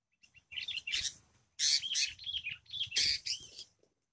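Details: Wild sooty-headed bulbul fiercely answering a lure bird, which screams back during a trapping session; loud, harsh chattering bursts come in three clusters, the strongest near the middle, with squeaky descending notes between them.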